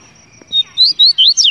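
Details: Double-collared seedeater singing clearly: four short, sweet slurred whistles in quick succession, each rising and falling, with a faint steady high tone behind.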